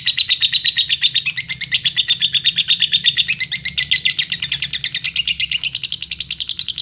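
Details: High, fast, unbroken chattering of a lovebird in Indonesia, its song used to draw other lovebirds into singing, notes pulsing several times a second with shifting pitch.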